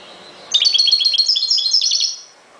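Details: Ghoroub-style song of a European goldfinch: a continuous, high, tinkling twitter of fast, varied notes running for about a second and a half against a quiet background.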